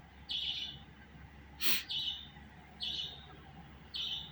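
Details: Budgerigar repeating a flat, slightly buzzy chirp about every second, with one sharp click or knock partway through and a low hum underneath.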